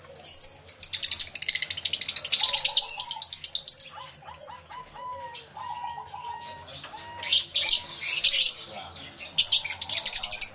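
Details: Lovebirds crowded in an aviary, including yellow-collared lovebirds, captured live with two external microphones; loud shrill chattering opens, then a series of short squeaky whistled notes, followed by renewed bursts of piercing chirps.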